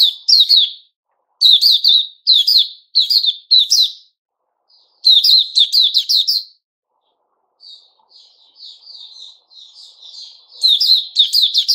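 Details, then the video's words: Energetic white-rumped shama phrases, 29 August 2021, with clipped whistled bursts spaced by short silences, a quieter rambling warble midway, and a final loud rapid flourish. "Puteh Raja Sing Buka"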